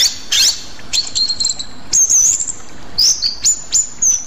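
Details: Rueck's blue flycatcher, a flycatcher endemic to Sumatra, sings short high whistled phrases: quick upslurred notes and sweet sliding whistles in separate bursts, with pauses between them.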